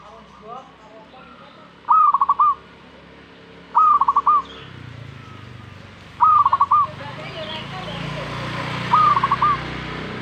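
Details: Zebra dove singing in reaction to a master recording: four loud, evenly pitched phrases of rapid pulsed coos, each about half a second, spaced two to three seconds apart, with rising background hiss and faint low rumble.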